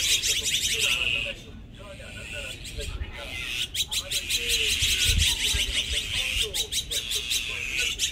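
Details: A family flock of azure-winged magpies, resident birds in Korea, gives harsh, rasping calls in quick overlapping bursts, with several birds calling at once against faint background noise.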